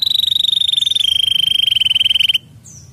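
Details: Canary song meant to stimulate other canaries: a sustained, rapidly pulsed high trill on one pitch, held for over two seconds, then a brief high note after a pause.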